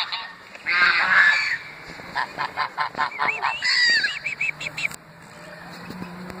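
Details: Greylag geese gathered around beside the Thames Path at Iffley Lock, Oxford, England, giving a loud nasal honk, then a quick run of about ten short, harsh honks, followed by a brief rising call and quieter background.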